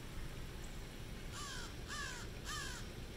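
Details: Crows by a fountain at the University of South Carolina Beaufort, Hilton Head Island, SC: three evenly spaced, hoarse caws in the second half, over steady noise.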